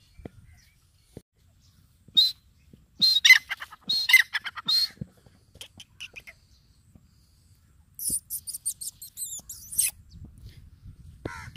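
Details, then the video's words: Partridge (Irani/Dakhni teetar) gives harsh, scratchy notes in quick bursts, then a fast, high chattering series near the end, with faint low rumbling behind. "irani teetar ki awaz |dakhni Teetar ki awaz|teetar sound|teetar ki boli|ایرانی تیتر کی آواز"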